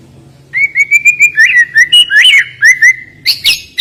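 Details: White-rumped shama sings a quick string of clear, evenly spaced whistled notes, briefly rising into an inflected phrase before ending with higher sharp chips.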